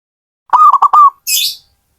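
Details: A single loud phrase from a zebra dove: three or four quick, choppy coos ending in a drawn-out note, followed by a short high hiss.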